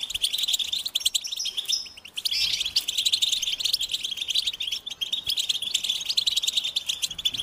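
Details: Goldfinches singing: dense, continuous high twittering with fast chattering notes and a few sweet slurred whistles, barely pausing throughout.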